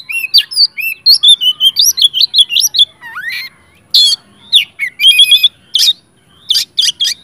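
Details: Energetic oriental magpie-robin song meant to stir other magpie-robins into singing: rapid series of bright whistled notes and wavering slurs, a rising sweep midway, then sharp, buzzy chattering bursts toward the end.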